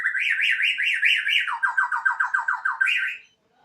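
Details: Borneo white-rumped shama kept at home, singing with a siren-like sound: a run of rapid up-and-down whistled notes, then about eight lower swooping notes repeated quickly, finishing on a higher rising note.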